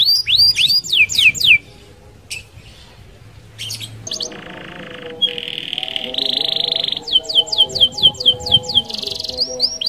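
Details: Canary in energetic rolling song used to provoke other canaries: quick high swept notes open the recording, a gap of buzzy steady tones and low murmur follows, then a fresh run of rapid descending whistles returns.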